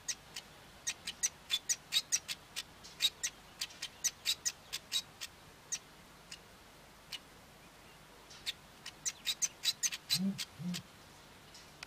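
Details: Male Cape weaver singing: scattered dry ticking and sizzling notes in quick irregular runs, with a short low soft sound near the end.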